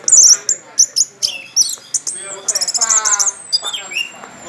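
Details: Orange-headed thrush with a loud, varied song: high sharp whistled notes, buzzy rapid trills and a long thin descending whistle, phrases tumbling with little pause.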